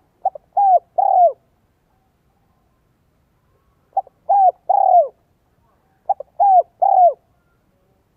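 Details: Spotted dove coo in 'giọng son, 1 cốt lỡ' style for luring wild doves: three spaced phrases of quick double pips followed by two rounded, downward-sliding coos, with long silent gaps between.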